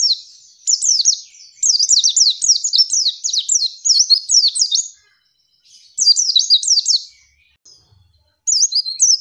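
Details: Female white-eye calling to provoke males and rivals into answering and singing quickly, as in the wild: bursts of high, sharp, sweeping chirps, rising and falling quickly, run together in rapid trills, with short pauses between bursts.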